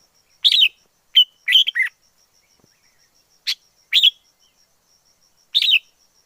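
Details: Wild forest red-whiskered bulbul singing: short, bright, warbled phrases under half a second each, some in quick clusters, separated by pauses of one to two seconds, over a faint, steady, high ticking in the background.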